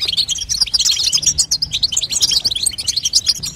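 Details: Rapid high twittering from a female European goldfinch, played to make a young goldfinch sing; quick chirps and trills pour out without pause.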